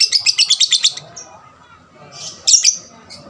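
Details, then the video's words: Lovebird singing, recorded to provoke other lovebirds into song; a quick run of seven sharp, high chattering notes, a pause with faint hum, then a couple of harsh squeaky bursts. "pancingan lovebird paud rajin bunyi... merangsang lovebird lain lebih gacor"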